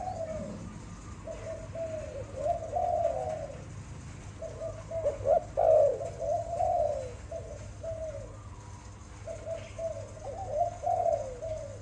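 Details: Kept Malay dove giving gentle, low rolling coos in short bursts of quick notes, with pauses between phrases and a steady low hum beneath.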